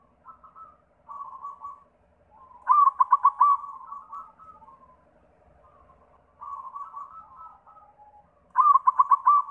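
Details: Repeated cooing song of a white zebra dove, used as a lure for other zebra doves: soft coo phrases alternate with loud, quickly pulsed bursts, heard twice.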